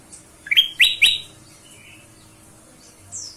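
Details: Ruby-throated bulbul calling as a lure for other songbirds: three quick, bright whistled notes rising then holding steady, followed by a faint lower note and a thin descending high whistle.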